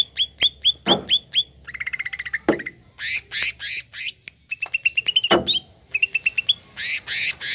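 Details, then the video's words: Song of a greater green leafbird, played to rouse a kept bird. It mixes clipped high whistles, a fast lower stuttering trill, harsh buzzy blasts and bouncing whistled series in a varied, energetic sequence. "HANYA PLAY CUCAK IJO INI UNTUK PANCING EMOSI IJO ANDA"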